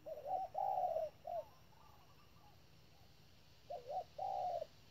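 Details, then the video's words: Spotted dove used as a decoy bird at a trap, giving its insistent calling. Two-part phrases of low, husky coos, the second note longer and steady, with a brief coo between. A quiet pause separates the phrases. "bẫy chim cu gáy. bổi thúc lợi cốt k dám chung cây"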